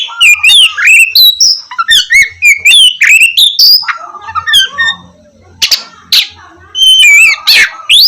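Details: Oriental magpie-robin in energetic song meant to prompt idle birds to sing in the morning: fluid whistled phrases sliding up and down, interspersed with scratchy chatter and a few loud harsh bursts near the end.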